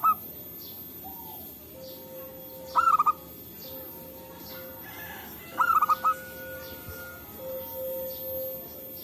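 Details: Local zebra dove calling in forest, back-and-forth exchange, used as a trapping lure: a brief coo at the start, then two stuttering multi-note phrases about three seconds apart, with a faint steady hum running beneath.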